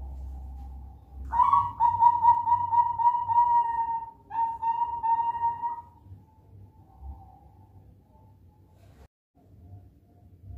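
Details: Young Bangkok zebra dove aged four months, whose promising voice can draw in other doves. After a soft opening note comes a fast, purring coo of roughly three seconds, a pause, a shorter trilled phrase, then quiet trailing coos against low rumble.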